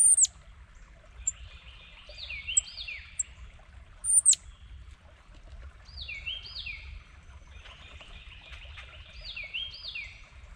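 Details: Red-bellied woodpecker defending territory with paired downslurred whistled calls given in bursts every few seconds, with sharp high ticks from another bird and loud clicks near the start.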